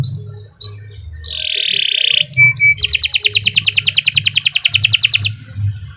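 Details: Singing canary: a few short chirps lead into a harsh buzzy phrase, a brief pure double whistle, then a long rapid trill of repeated notes lasting about two seconds, over a steady low hum.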